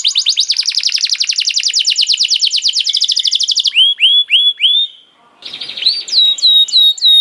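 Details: Canary singing as bait to get other canaries to sing: a long, very fast rolling trill, then separate clear swooping whistles, a short hush, and more high upward-curving notes.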